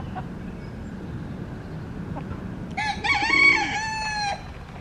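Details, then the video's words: One of two yellow-legged gulls lingering at a Cascais park picnic area, Parque Marechal Carmona, hoping for dropped fries; a single loud, nasal, drawn-out call lasting over a second after quiet outdoor noise. "Gaivotas-de-patas-amarelas (Larus michahellis)"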